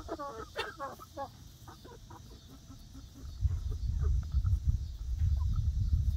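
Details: Flock of young laying hens exploring their new outdoor backyard run on day one: a burst of rapid clucks and short calls early on, then loud low rumbling noise dominating the second half.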